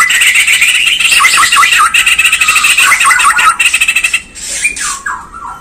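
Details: White-rumped shama, Bornean form, a lure recording to make birds sing and become agitated: a dense, rapid run of chattering, scratchy notes, then clear whistled slurs dropping in pitch near the end.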